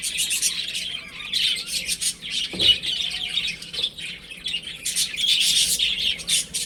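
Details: Baby chickens playing at home give rapid, high peeping bursts, several per second, with short quieter gaps and a faint low thump midway.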